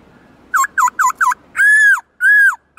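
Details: Black-throated laughingthrush, a kept songbird, singing in many voices in a forest-style song: four quick, clear down-slurred whistles, then two long, loud, arched whistled notes with a brief pause between them, in a quiet room.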